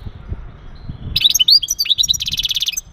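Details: Male European goldfinch giving mating calls meant to stimulate the female for breeding: a fast run of bright twittering notes and slurred whistles, ending in a dense buzzy trill held for about half a second, with a faint low hum beneath.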